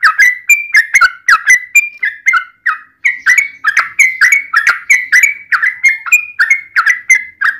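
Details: Rapid bubbling song of a yellow-vented bulbul, in a fighting 'ropel panjang' style meant to stir other bulbuls to answer. Gurgling, slurred whistles follow each other steadily with only one short gap.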